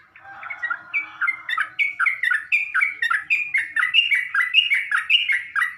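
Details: Lure song of a sooty-headed bulbul, meant to provoke other bulbuls. Starts softly with a low warble, then builds into a steady run of bright, bouncing whistled phrases.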